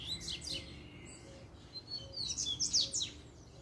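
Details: Double-collared seedeater in its puxada song, a sequence meant to provoke fighting: an opening flurry of steep, high sweeps, a pause of thin scattered notes, then another loud, quick run of descending whistles against quiet low hum.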